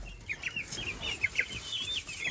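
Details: A male eclectus parrot throwing a tantrum after being told no during morning feeding makes a rapid run of short, high, chirping squeaks, about a dozen in two seconds, with faint room noise behind.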